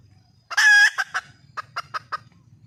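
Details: Wild red junglefowl hen calling for a male: one loud, drawn-out, harmonic squawk, then five short clucks spaced evenly and fading away, over a faint low hum.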